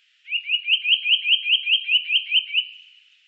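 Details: Eurasian nuthatch, recorded in 2018, delivering a rapid even trill of about twelve rising whistled notes over two and a half seconds, clean with no background sounds.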